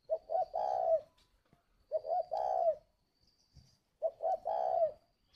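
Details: Captive spotted dove at a breeding aviary in Ba Vì, Hanoi, northern Vietnam, giving its 'gáy gọi' calling coo: three low mellow phrases about two seconds apart, each two short notes then a long rolling croo, quiet background.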